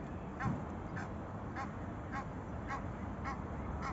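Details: Egyptian geese on the Manzanares river in Spain call to each other: short harsh honks repeated about every half second over steady low traffic-like rumble.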